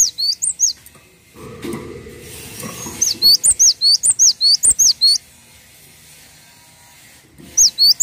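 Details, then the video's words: Cinereous tit in full song for training other songbirds: bursts of piercing, high upslurred whistles repeated rapidly, several phrases separated by pauses, with a low rumbling background noise between phrases. "MASTERAN BURUNG GELATIK WATU GACOR"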